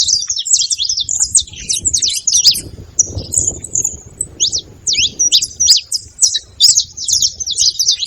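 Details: Saffron finches, free and wild, noisy at a feeder: bursts of quick high chirps, a short gap of thin notes midway, then steep rising and falling chips resume, above faint low background rumble.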